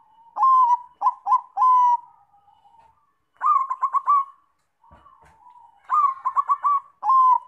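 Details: Zebra dove lure song to prompt other doves: short clipped coos, a burst of rapid trilled notes, then a further rolling phrase and a final long coo, with a faint tap midway.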